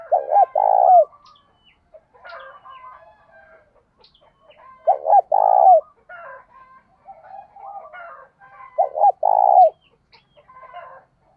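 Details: Spotted dove calls, male and female, used to provoke wild doves in training: three bursts of loud low paired coos about four seconds apart, with softer chattering and fainter coos between them.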